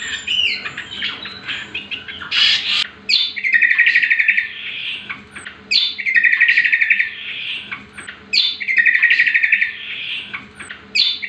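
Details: Greater green leafbird, called cucak kombo, singing lure and master material for training other birds: the same phrase repeats about every three seconds, a burst of sharp notes followed by a fast, even, rattling trill.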